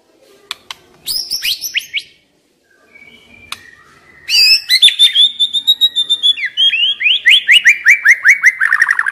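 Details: Forest-caught young white-rumped shama, said to be stressed, opens with a few sharp notes, falls quiet, then launches a long accelerating series of bright downslurred whistles that drift gradually lower in pitch. Used to stimulate other shamas to sing.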